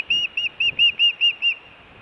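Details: Osprey at a nest camera in Montana, June, food or alert calling: seven evenly spaced, high, slurred whistled notes, each slightly arched, given in about a second and a half, then silence.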